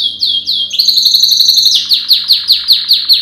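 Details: Male yellow canary singing a training song: a few falling whistled notes, then a fast rattling trill, then clear down-slurred notes repeated about two or three times a second, loud and bright.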